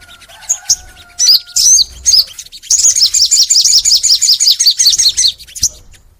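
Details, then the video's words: Crimson sunbird singing full and long, recorded to coax pet sunbirds into song: scattered sharp chips, then a steady rapid trill of high repeated notes lasting over two seconds, ending in a few isolated chirps; a faint whistle underneath early. "MASTERAN SOGON FULL NEMBAK! Suara Sogon Gacor Panjang | Pancingan untuk Sogon Biar Rajin Bunyi"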